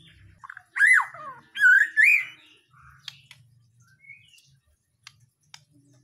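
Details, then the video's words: White-rumped shama, Borneo or Nias stock, singing: two loud, looping whistled phrases that swoop up and down, followed by softer scattered notes and sharp clicks, against a faint low hum. "mb gacoran dri mb Borneo/nias GEMBUNG"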